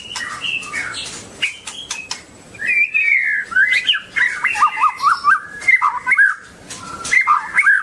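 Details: Long-tailed White-rumped shama (murai batu) singing a rich, varied run of loud whistled phrases, sliding notes and quick twitters that shift between higher and lower pitches, with a few sharp clicks early on.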